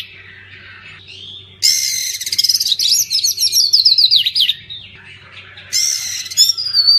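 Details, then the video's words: Oriental magpie-robin song for coaxing birds that went silent after moulting: a soft opening, then a loud harsh burst into a quick series of sharp repeated whistles, a pause, and another rasping burst with a whistle. "Kacer pasti nyamber dan gacor klo dengar ini"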